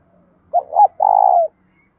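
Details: Spotted dove, a well-formed singing bird used to provoke other doves: two brief swelling coos leading into one long, level, purring coo that slides down at the close.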